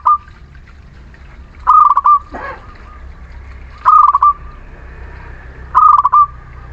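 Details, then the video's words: Local Muria zebra dove singing as a lure for lazy, unresponsive doves: three rhythmic phrases of quick clipped notes ending in a held tone, about two seconds apart. A brief rasping sound comes between the first two. "Perkutut lokal Muria gacor pancingan setiap waktu perkutut malas bunyi"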